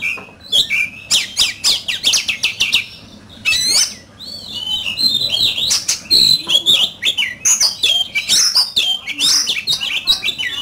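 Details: Oriental magpie-robin singing competitively: fast clicking and chattering notes alternate with sweet curving whistles and sharp downslurs, a busy, varied and loud performance throughout.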